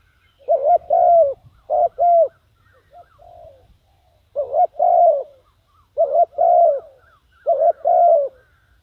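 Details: Decoy spotted dove calling to attract wild doves: repeated phrases of two to three hoarse coos, a short note then a longer falling one, repeated about every one and a half seconds with quiet gaps.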